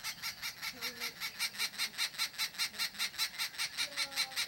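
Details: Harsh, raspy babbling of an Arrow-marked babbler at a hide in Pilanesberg National Park, South Africa, in December. Rapid, evenly spaced scratchy bursts run throughout, about five per second, over a faint low tonal sound in the background.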